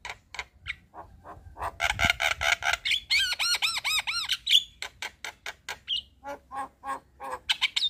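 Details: Javan myna singing at evening to train young mynas, a fast stream of clicks and rasps broken by a run of arched squeaky whistles, about two notes a second overall.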